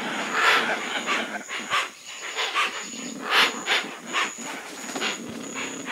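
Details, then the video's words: Hoatzin giving a run of harsh, hoarse, hissing bursts, each under half a second, coming in irregular clusters with short gaps, over a steady faint high whine. "Hoacyn. Odgłosy jakie wydaje Hoacyn. Dźwięki Hoacyn. Jak robi Hoacyn?"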